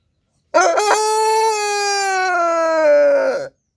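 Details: Rooster crowing from a sound effect compilation: one long, loud, clear cock-a-doodle-doo lasting about three seconds, with a stuttered start and a sustained, slightly falling tone, on a silent background.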